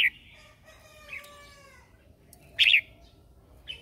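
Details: Red-whiskered bulbul kept as a lure bird singing in the morning to call wild birds and train others. Loud, short, bright notes come every second or so, with long, thin sustained tones between them.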